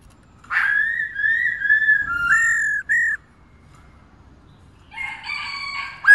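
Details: Female black-throated laughingthrush calling continuously to stimulate males: long, clear whistled notes held level and slurred into one another, a short gap after a higher note, a pause, then a richer, harmonic burst of whistles at the end.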